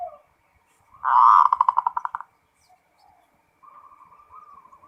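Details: Local zebra dove singing continuously: a loud, rapid run of pulsed notes that slows and fades over about a second. After quiet, a long, soft, slightly wavering purr follows.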